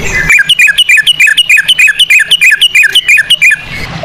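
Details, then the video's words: Sooty-headed bulbul in a fast ropel trill in the style of cucak rowo, played as a lure for singing: a steady three-second run of clear, slurred notes, each dipping in pitch, about three to four per second. "pancingan ampuh burung trucukan ropel cengkok cucak rowo"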